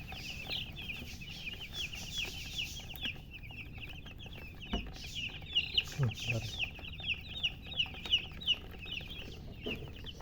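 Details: Brood of newborn chickens chirping loudly, dense rapid high peeps overlapping almost continuously, with soft taps and thumps sounding in the second half.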